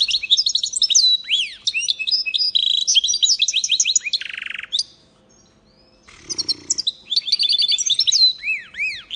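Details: Goldfinch mule (goldfinch-canary cross) recorded in 2022, pouring out rapid twittering phrases and downward-swooping whistles, then a harsh buzzy burst; a short silent gap falls mid-song, followed by a rough noisy note and renewed chattering.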